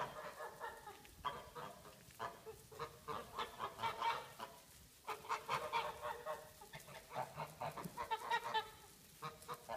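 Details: Several geese in a farmyard honking in bursts of rapid nasal, harmonic calls, overlapping and choppy, with brief pauses between flurries over ten seconds.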